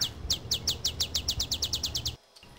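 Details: An Olive Sparrow, a skulker more often heard than seen, in the Texas Rio Grande Valley, gives about fourteen dry, high chip notes that quicken into a trill-like series over two seconds, with a low rumbling background.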